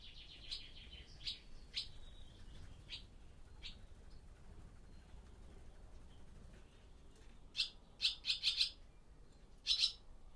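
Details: Barn swallows inside an old barn during daytime, back for the start of the breeding season, recorded on a Zoom F6 with a Sennheiser MKH microphone: scattered short high chirps, then a quick burst of five chirps and a final doubled chirp.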